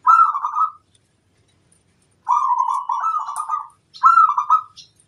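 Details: Singing local zebra dove, calling to provoke rival birds: three loud, rolling, trilled coo phrases with a bubbling quality, separated by clear silences. No other sounds are present.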